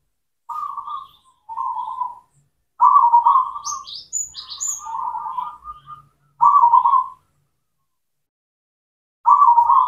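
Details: Local cemani zebra dove, a lure for doves that have stopped singing: a series of buzzy trilled coo phrases, with brief high chirps from another bird in the middle and soft low knocks.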